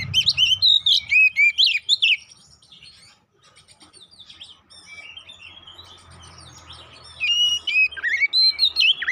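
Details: Oriental magpie-robin song used as a lure to provoke fighting: loud bursts of varied whistled and slurred notes, rising and falling, then a quieter stretch of faint chatter before the loud phrases return.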